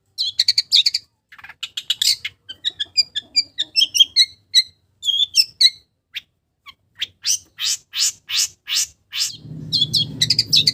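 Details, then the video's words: Long-tailed shrike mimicking village birds in a varied sequence: buzzy trills, then clipped high chips and thin whistles, followed by a row of raspy strokes; a low rumbling noise enters near the end. "SUARA BURUNG CENDET ISIAN BURUNG KAMPUNG"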